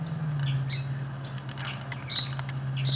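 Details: Carolina wren nestlings that lived in a hanging strawberry planter in the United States. They give faint, thin, very high chirps and peeps in scattered bursts over a steady low electrical hum.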